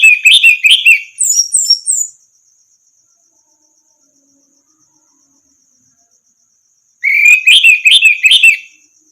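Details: Orange-headed thrush singing as a tutor recording for training other songbirds: a two-second run of fast rich warbles with high thin slurred notes, long silence, then another rapid warbling phrase, with faint continuous high-pitched ticking behind.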